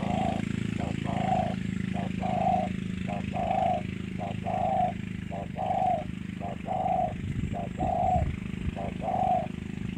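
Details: Spotted dove from Cà Mau cooing steadily, about one short low coo per second in a repeating rhythm, over a constant droning engine and faint voices.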